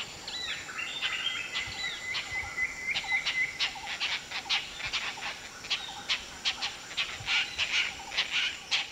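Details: Indian rollers in summer at Bandhavgarh tiger reserve forest, two males courting a female with displays and insect gifts, give rapid, harsh, clicking chack notes in irregular bursts; thin whistles from other birds early on and a faint outdoor hiss.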